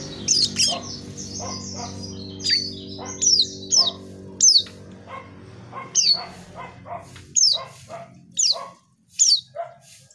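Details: Vocal Asian pied starling pouring out song, with repeated sharp, downward-slurred high whistles alternating with lower harsh, buzzy notes. Short pauses fall between phrases, and a faint low hum runs underneath for the first half.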